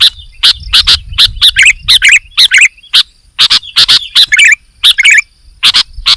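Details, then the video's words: Sooty-headed bulbul in lively, chattering song: loud sharp clicking notes alternate with short bubbly warbled phrases in a quick irregular run, with a low rumble underneath during the first half. "KUTILANG GACOR"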